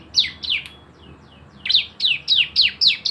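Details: Brief burst of Javan white-eye 'nembak bren' lure song: a few high downslurred chirps, a pause with faint notes, then a quick regular run of six loud, bright chirps.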